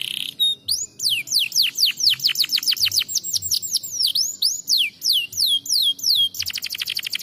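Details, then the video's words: Canary song used to stimulate lazy canaries to sing: rapid series of bright, high descending whistled sweeps repeated about three per second, ending in a fast buzzy trill. "estimular muito rapidamente o som de canários preguiçosos cantando"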